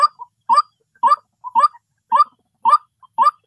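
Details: A white-breasted waterhen gives a hoarse, mid-pitched 'kwak' about twice a second in a steady series, with a soft short note between some calls.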